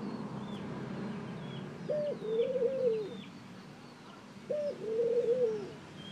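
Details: Ring-necked dove calling twice, each call a short higher note leading into a longer, mellow, slightly wavering coo. Scattered high chirps from other birds and a low background hum are also heard.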